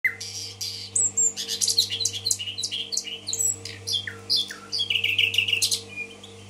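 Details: Common nightingale (bulbul) from Tashkent singing indoors: varied high phrases of sharp slurred notes, clicks and brief whistles with quick pauses between bursts, over a steady low electrical hum.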